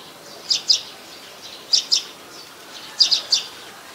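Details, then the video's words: Streak-eared Bulbul from Ubon Ratchathani, Thailand, 4 February 2020: three clusters of clipped, high chirping notes in twos and threes, separated by roughly a second of near quiet. "นกปรอดสวน : Streak-eared Bulbul"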